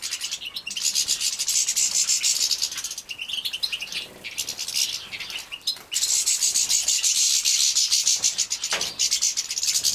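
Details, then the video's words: Young European goldfinches from a breeding setup in Poland, 2017, being fed: loud, continuous high-pitched chattering with rapid buzzy pulses, briefly dropping away, then surging back strongly. "Młode szczygły hodowlane Carduelis carduelis breeding"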